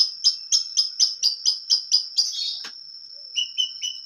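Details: Long-tailed shrike singing in an active, full-repertoire style, clear-voiced: a string of sharp, high chipped notes four a second, a brief scratchy flourish, then softer descending whistled notes, with a faint steady high tone throughout.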